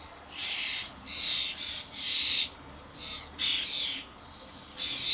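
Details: Adult common starlings and fledglings (Sturnus vulgaris) feeding at suet blocks in a garden, many birds around, camcorder recording: about seven drawn-out, raspy screeches of varying length, separated by short pauses.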